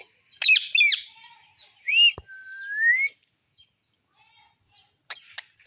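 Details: Parrot pair feeding; harsh broadband squawks open, then a looping whistle and a long, slowly rising whistle, with scattered high chirps and a burst of harsh noise near the end.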